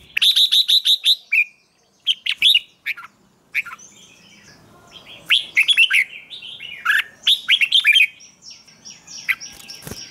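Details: Chè style song of a red-whiskered bulbul used to train birds to sing in the morning and rouse wild-caught ones. Opens with a rapid string of repeated chirps, then many warbling, bubbling phrases with softer birds calling behind.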